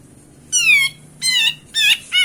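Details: Loud lure recording of a grey-cheeked bulbul meant to stir birds that rarely sing: four nasal, harmonic-rich notes, each sliding downward, spaced roughly half a second apart in a quiet background.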